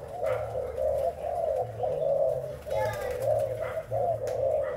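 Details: Spotted dove of the Thai type, a breeding bird, cooing in a steady series of low, soft, rounded phrases, about four in five seconds, over a constant low mechanical hum.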